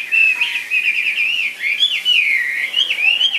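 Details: Chinese hwamei in a cage singing a continuous rich warbled phrase of looping, rising and falling whistles, loud and clear throughout.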